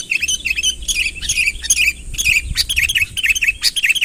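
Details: Chattering Sooty-headed bulbul calls meant to draw a rival closer: quick clipped whistles, rising and dipping, tumble out about twice per second amid a steady high background tone.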